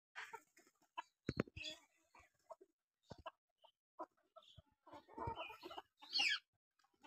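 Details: Domestic chickens kept alongside local pigeons at a village home give scattered short clucks and soft murmurs, with sharp clicks and knocks between them and a brief harsher burst near the end.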